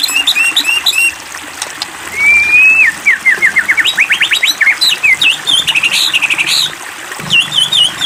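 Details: Lure song of a White-rumped shama, played to provoke rival shamas to sing: sharp high whistles, a long rising slur, then rapid stuttering note series and buzzy high phrases.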